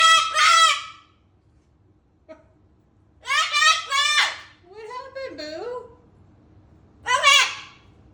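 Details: A rescue cockatoo freaking out lets out four loud, harsh, raspy screeches in separate bursts, one with a wavering, warbling quality, with quiet pauses between.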